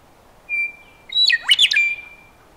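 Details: Western meadowlark song: a long, clear, steady whistled note, a brief pause, then a quick tumbling phrase of slurred, flute-like notes sweeping down and up, closing on another sustained whistle. The background is quiet.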